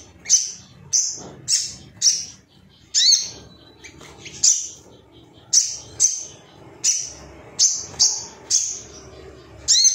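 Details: Ruby-cheeked sunbird gives high, thin, sharp chirps repeated every half-second to second in loose bursts, with a faint low background rumble.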